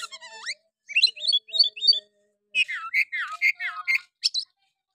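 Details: Lure song of an oriental magpie-robin, harsh 'nembak kasar' style, meant to provoke other males into singing. Rising whistles and rapid high chirps, then a run of repeated slurred, downward-sweeping phrases and a final sharp squeak.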